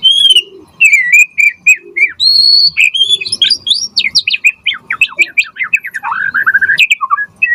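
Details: White-rumped shama in vigorous song, used as a lure and tutor recording: sustained whistled notes, then a rapid cascade of sharp upslurred and downslurred whistles ending in a descending slur.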